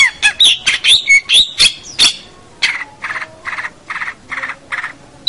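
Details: Long-tailed shrike (cendet, pentet) singing actively, a recording meant for training local shrikes; harsh, squawky high notes in a rapid burst, then a steadier run of buzzy chattering notes about twice a second.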